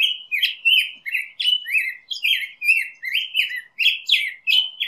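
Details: Black-headed grosbeak in full song, a rapid, unbroken string of mellow slurred notes rising and falling, richly warbled and bouncing along for about five seconds.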